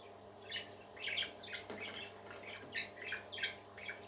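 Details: Several happy parakeets singing: scattered short chirps and scratchy squawks come in quick irregular bursts, about ninety a minute, over a steady low hum.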